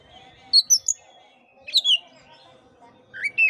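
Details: Oriental magpie-robin song aimed at stimulating a sluggish caged bird, brief clusters of high whistled notes separated by pauses, ending in a rising slurred phrase.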